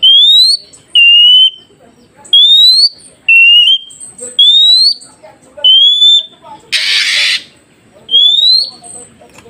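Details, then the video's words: Oriental magpie-robin song used to train newly trapped forest birds to respond: a run of high, pure whistles alternating between rising and level, then a loud harsh rasping burst and one final whistle, over soft background chatter. "Dengarkan KACER ini Agar Kacer hutan Baru Dapat Cepat nyaut"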